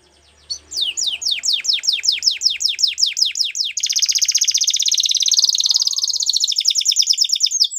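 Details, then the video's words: Belgian canary singing a training song: a run of steep falling whistled notes about four per second, switching to a long dense buzzy trill that slows toward the end. "The Most Magical Canary Training Song | Belgian Canary"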